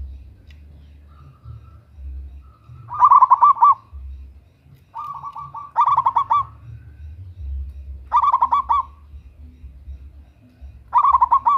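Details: Zebra dove of local stock, a female calling a male for luring: soft pulsed trills each running into a loud burst of rapid bubbling coos, repeated about every two and a half seconds, low rumble behind.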